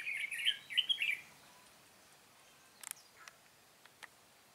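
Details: Red-whiskered bulbul ('Cánh bướm' type) heard while trapping on 13 March 2017; one quick warbled phrase of chirpy notes, followed by silence broken by a few dry clicks.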